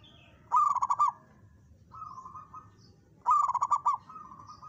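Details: Zebra dove, a local bird, singing to challenge a rival. Two loud phrases of quick, bubbling coo pulses, each running into a drawn-out low trill, with a softer purring phrase between them.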